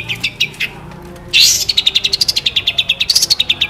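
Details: Cendet, the long-tailed shrike, singing a full isian training song: a few scattered high chirps, then a sudden loud burst and a rapid ringing series of clear, sharp notes wavering slightly up and down in pitch.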